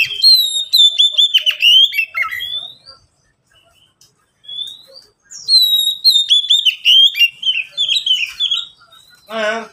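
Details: Three caged Oriental magpie-robins answer one another. The song comes in bursts of bright whistles and rapid chattering slurs, then falls silent for about two seconds and resumes with a long varied phrase. A harsh rasping note closes the passage.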